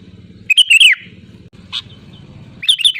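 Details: Sooty-headed bulbul in loud, lively song, used as a lure to make other bulbuls sing: a bright bubbling phrase of quick slurred notes, then a short chirp and a second phrase starting at the end, over a steady low hum.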